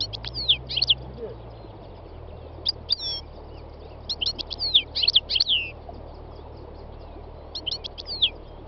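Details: Three-year-old North African goldfinch singing in the north-west mountains of Tunisia on a spring day, delivering dense runs of rapid, tinkling twitters and slurred notes in several bursts, with wild birds such as greenfinch, serin and nightingale close by.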